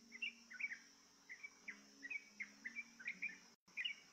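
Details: Yellow-vented bulbul enticed to sing with a lure sound: scattered short, liquid whistled notes in loose groups, somewhat faint, over a high continuous insect buzz and a low hum.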